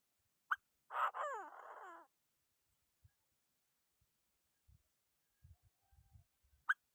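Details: A Chinese francolin calls to provoke other birds. One sharp click, then a single harsh, buzzy phrase with downward-sliding harmonics lasting about a second. Quiet low knocks follow, and another click closes the stretch.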